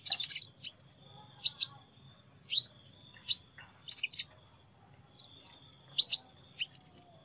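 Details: A sunbird with an unusual voice gives short, sharp, high-pitched chips and squeaky notes in scattered groups, separated by pauses, over a constant thin high whine and a faint low hum.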